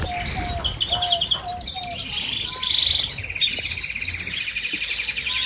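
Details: Canary singing a varied song: low whistled notes repeated about once a second, then fast high rattling trills and rolling tours running on without pause.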